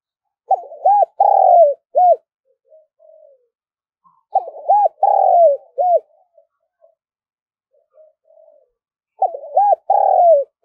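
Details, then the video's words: Spotted dove calling fast to lure wild doves. Three bursts of low, rounded cooing arrive about every four seconds. Each burst is a quick run of hooting notes ending in a drawn-out coo, with faint soft murmurs between bursts. "tiếng cu gáy gọi, tiếng chim cu gáy kích bổi nhanh nổi nhất"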